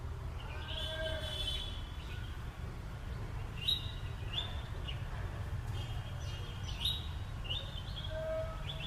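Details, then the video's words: Green parrot giving a series of short, shrill screeching calls, high-pitched and repeated at uneven intervals, over a steady low rumbling background. "ಗಿಳಿ green parrot"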